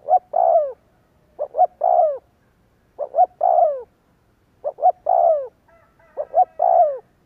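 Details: Spotted dove used as a lure to make other doves coo: two short rising coos then a longer falling croo, the three-note phrase repeated about every one and a half seconds with brief pauses; a fainter thin tone overlaps near the end.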